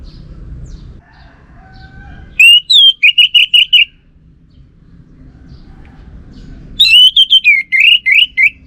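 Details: Orange-headed thrush delivering two bursts of rapid, slurred whistles and chirps several seconds apart, separated by quiet background hum and a few faint distant notes.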